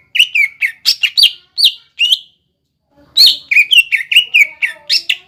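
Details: Lively cucak ijo song aimed at stirring young birds to sing: clusters of sharp, bright whistled phrases with quick downward slurs, a brief silence, then another fast run of ringing notes.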